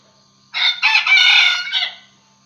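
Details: Decoy red junglefowl cock crowing to lure wild roosters, a single strident, buzzy crow in three parts: a clipped first syllable, a gap, a drawn-out steady middle section and a shorter trailing syllable, roughly 1.4 seconds in total against near silence.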